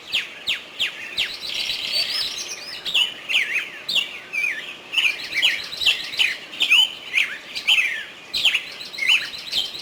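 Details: Nightingale singing at Artuch, a rich, loud run of slurred whistled notes and rising and falling phrases, broken by sharp click-like strokes and short trills, phrases packed closely with brief pauses.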